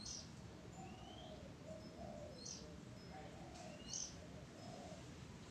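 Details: Oriental magpie-robin, recorded 05-06-23, repeats bright high whistled notes with rising slurs roughly every two seconds, while soft low cooing sounds and background rumble continue underneath.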